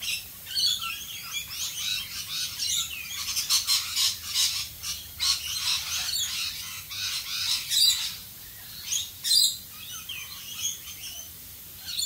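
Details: Rainbow lorikeets in Australia calling in the rain: a busy flock chatter of harsh, screechy high-pitched notes, overlapping and uneven, with brief louder shrieks, over a constant hiss of falling rain.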